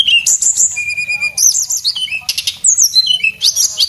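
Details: Lively song of a male Javan whistling thrush meant for tutoring cage birds: a long, steady high whistle amid quick chirps, rising and falling slurred notes and harsh buzzy bursts.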